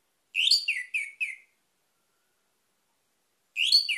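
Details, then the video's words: An Orange-headed Thrush song used as a lure for other birds gives a quick run of four loud, high, sweet whistled notes with falling slurs, then a pause before a fresh phrase begins. "PANCINGAN ANIS MERAH CEPAT GACOR"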